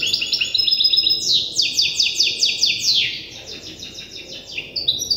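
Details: Learning song of a young goldfinch hybrid copying an older hybrid tutor: a loud run of quick descending buzzy strokes, about four per second, framed by thin high twittering notes.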